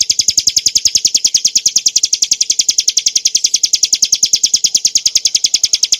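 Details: Rapid, evenly spaced high chirps from a Hill prinia, used to train cage birds, pour out without pause for the whole stretch.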